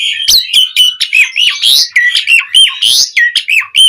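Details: Javan pied starling in prolific song with varied fill phrases: a nonstop string of raspy squawks, each followed by a hooked whistle that dips and rises, about three each second.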